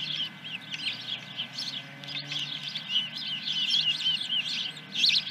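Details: Osprey at the nest at Dunrovin Ranch on 10 July 2021, about 9:20 in the morning: a dense run of high chirping notes with short whistled slurs, fairly steady throughout, over a low background hum.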